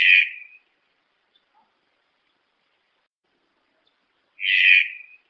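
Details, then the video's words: Harsh, buzzy croak from a Red-breasted toucan opens the recording, followed by a long silence and a second similar grating note about four seconds later; background otherwise clean. "Canto do tucano-de-bico-verde"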